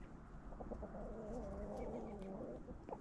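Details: Backyard chickens at a Halloween pumpkin treat, one bird giving a drawn-out, slightly wavering call over low background rumble, with a few clucks before it.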